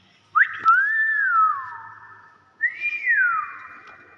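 A common hill myna gives two long, clear whistles about two seconds apart, each swooping up sharply and then sliding slowly down. A quiet indoor background.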